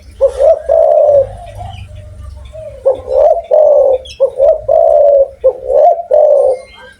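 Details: Loud-voiced spotted dove calling actively: rounded, hollow coos grouped into repeated phrases of several notes, the last syllable drawn out, against a faint constant hum.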